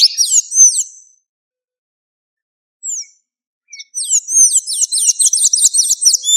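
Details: Blue-grey tanager singing in the wild: high squeaky arched notes, a short burst, a pause with a few single notes, then a fast run of about ten repeated curling squeaks, with no other sounds.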